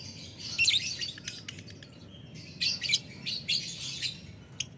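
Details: Lovebird calling a rival in ngetik ngekek style: clustered shrill, scratchy chirp bursts at high pitch in several rapid groups, over a steady low rumbling background.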